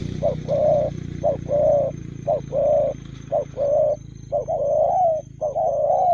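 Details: Speedy 'lèo gù' cooing from a spotted dove, clear short-long coo pairs repeated about once a second, over a steady low rumbling background noise.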